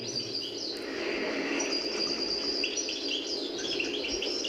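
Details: European goldfinch (El Meknin) in Algeria, a caged bird played from a cassette, improvising and perfecting its song as if rehearsing for a play; thin, high twittering phrases with buzzy notes and quick trills over a steady hiss of background noise.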